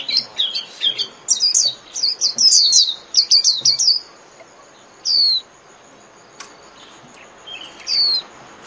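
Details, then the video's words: A Japanese white-eye delivers a fast, bright, twittering run of high, sliding notes in 'líu' style for training caged birds. The run lasts about four seconds, followed by a few isolated thin, falling whistles. "TIẾNG CHIM KHUYÊN LÍU CỰC CHẤT"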